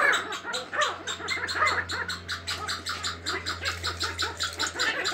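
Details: A group of kept sandgrouse, now selecting mates, give rhythmic, pulsing clucks roughly every third of a second, with some louder harsh notes at the start and a steady low hum throughout.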